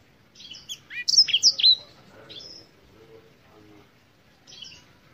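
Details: A black-throated canary from Africa sings a short burst of high chirps and swooping whistled notes, then falls mostly quiet before one last brief twitter.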